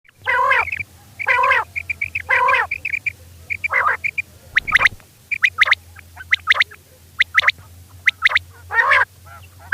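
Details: Female quail calling at night: nasal, harmonic, slightly wavering notes alternate with sharp, high clicking chips in irregular bursts, roughly once a second, over a steady low hum.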